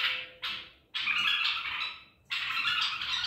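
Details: White-eared bulbul caught at Medical City, recorded 14 April 2021, singing in the Baghdadi style: harsh, broadband squawky phrases, each lasting about half a second to over a second, separated by brief gaps.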